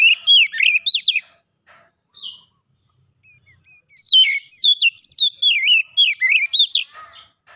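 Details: Aggressive kacer, an oriental magpie-robin, answering a provoking rival by showing off its mimicked song fill; an opening burst of slurred whistles, a near-silent gap with soft notes, then a long dense run of varied phrases.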